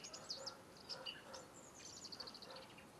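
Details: European robin giving high, thin notes in quick scattered bursts, then a run of rapid, even high twittering, against a faint low rumble.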